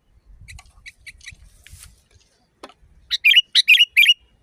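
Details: Sooty-headed bulbul with a loud, natural voice. A run of faint, soft chirps comes first, then four loud, sharp double notes in quick succession. Each note is a bright burst dropping into a slurred tail. Low rumble lies beneath.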